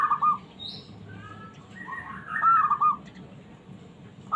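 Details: Zebra dove, a small bird said to have a fighting spirit, singing to goad lazy doves into replying; brief rolling coo trills at the start and midway, mixed with softer whistled notes from other birds.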